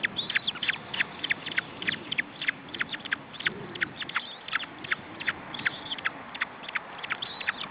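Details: Osprey young being fed at their nest, Estonia, June 2012, give a dense, urgent run of piercing high notes that drop in pitch, stacked close together and irregular, with quiet low rustling in the background.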